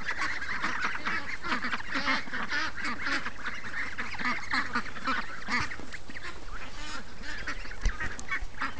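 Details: Free-range ducks on a morning outing, day 36 of being raised, gather in a dense, continuous chorus of overlapping nasal quacks and honking calls with no pauses, steady in loudness throughout.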